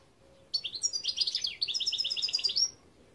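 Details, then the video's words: European goldfinch song (Gardelina), a rapid, jangling sequence of high tinkling notes and fast repeated chirps, clear and close over a quiet background. "Chant Chardonneret"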